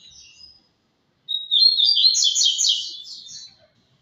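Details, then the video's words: Double-collared seedeater singing tui-tui: a faint twitter, a pause, then a clean opening note that swells into a loud, rapid buzzy trill of repeated high notes lasting about two seconds. "Coleiro tui tui lindo"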